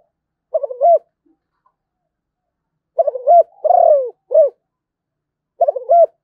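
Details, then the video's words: Zebra dove from Malaysia repeating its cooing song: clipped rising coos, a longer rolling falling note and a short closing hoot, phrases spaced by pauses of one to two seconds, nothing else heard. "chim cu gáy malaysia/ cu gáy malaysia"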